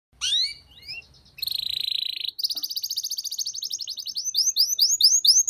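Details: Canary master song with full fill-ins in a rich melodic style for training: rising whistled slurs, a steady buzzy tone, then a long rapid rolling trill ending in repeated upswept chirps. A faint low rumble sits under the opening.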